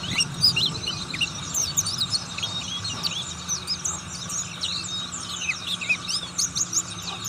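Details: Ngriwik-style singing from an Oriental white-eye of the buxtoni form: a long, busy stream of sharp high chirps and squeaky slurred notes packed closely together, steady low hum in the background.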